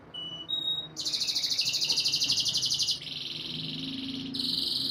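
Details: Canary song played to condition breeding females and stimulate mating: a few pure whistles, then long fast buzzy trills of rapidly repeated notes, changing pitch at each new section.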